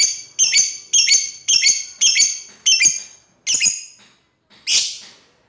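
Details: Lovebird calling out to a rival, repeating loud, shrill double-noted shrieks about every half second, closing with one broader raspy screech.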